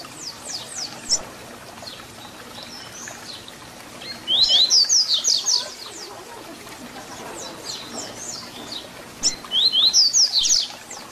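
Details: Tui Tui Zel Zel fibra song of the papa-capim, or double-collared seedeater, for instructing young birds. Repeated fast phrases of sharp, high whistled notes are separated by softer scattered chirps.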